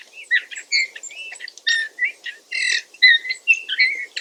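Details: Eurasian bullfinch in a quiet, creaky warbling song, a continuous run of short scratchy and whistled notes with brief pauses between phrases.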